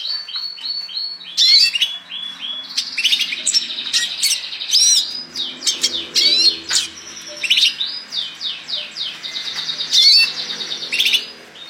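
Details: Red siskin giving its 'gacor' song in bursts: high twittering phrases of rapid chirps, trills and sharp rising whistles separated by short pauses, over a faint low background hum.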